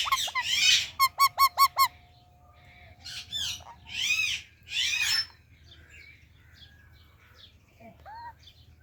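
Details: Indian ringneck parakeet giving quick rapid chirps, five clipped repeated notes in a burst, then several arched harsh squawks and a final short rising whistle, over a low steady hum.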